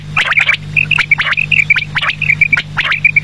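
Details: Evening quail calls: quick sequences of short high notes mixed with fast, sharply rising sweeping chirps, repeated roughly every half second, over a constant low hum.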